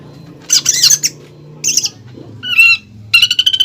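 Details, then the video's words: Greater green leafbird in full song, a lure and master recording with 'pelatuk bawang' filling for contest training; harsh squawky bursts alternate with brief whistled notes and a short trill, separated by pauses. "PANCINGAN DAN MASTERAN CUCAK IJO GACOR ISIAN MEWAH PELATUK BAWANG"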